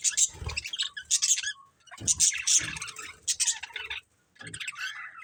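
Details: Chirping from a breeding pair of budgerigars: bursts of scratchy, high twitters separated by brief pauses, with soft low knocks under some bursts.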